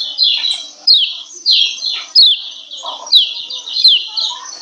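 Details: Female Lemon-bellied White-eye giving its ciak ciak call, used to raise breeding excitement in males and make them sing more. Sharp, high, downslurred chirps come in quick bursts roughly every half second, with faint lower notes beneath.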